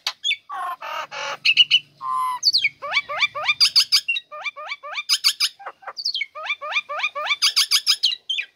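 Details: Female Nias hill myna in a cage, bursting into song as its cover is opened, used to draw lazy birds into singing: harsh buzzy notes, then repeated quick rising whistles in rhythmic groups with sharp high accents.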